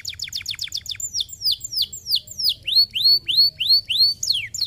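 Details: Canary singing to stimulate other canaries: quick repeated chip notes, then a run of loud descending whistles, shifting into rising upswept whistled phrases repeated about three times a second.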